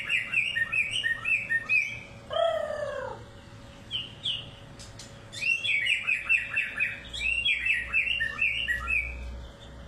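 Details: White-rumped shama of the Medan type sings a rich, varied run of quick high whistles and chirps, broken by a lower, descending, ringing phrase early on, then resumes with dense twittering notes over a faint steady hum.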